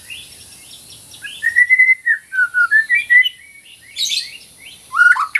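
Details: Lively white-rumped shama singing, meant to train birds and to restart ones gone silent: a run of bright, slurred whistles rising and falling, then a brief burst of higher chatter and a final whistle.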